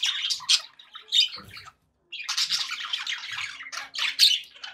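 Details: Pet budgies in a happy mood giving rapid scratchy chatter and squeaky notes, a brief silence near the middle, then a renewed stretch of busy warbling with a sharp high squeak.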